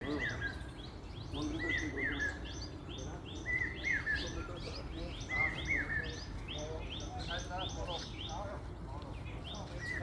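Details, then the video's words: Common hawk-cuckoo (Papiha, brain-fever bird) on a cloudy monsoon morning in Ahmedabad repeats a shrill three-note phrase about every two seconds over a busy chorus of chirping songbirds, with a low background hum. "Common hawk-cuckoo,Papiha,known as brain-fever bird due to its constant three notes,repetitive calls"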